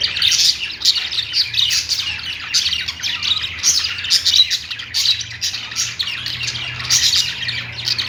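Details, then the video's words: Budgerigar song from kept birds: an unbroken stream of fast, scratchy twittering and chirping that pulses roughly every second, steady and lively throughout, with a soft low hum underneath. "Singing budgie | budgies sounds"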